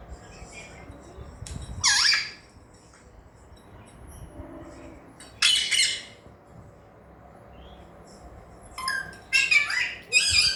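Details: Alexandrine parakeet learning to talk gives short, loud, harsh squawks: one near the start, one midway, and a scratchy cluster at the end, separated by long quiet gaps with faint room noise.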